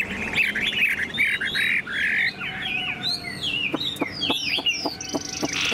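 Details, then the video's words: A tame caged yellow-billed Chinese hwamei, tail fanned, sings high on its perch: a loud, rich run of fast slurred whistles, rising and falling phrases tumbling together, with a few sharp clicks or taps near the end. "Họa mi thuần sách lồng hót, đuôi xòe, ngũ trường hót cao cầu"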